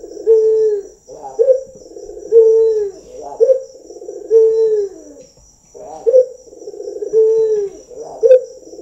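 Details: Local Barbary dove trained to coo, calling loudly and clearly: each phrase is a brief rolling note, then a long, low, falling coo. Phrases come back roughly every two seconds.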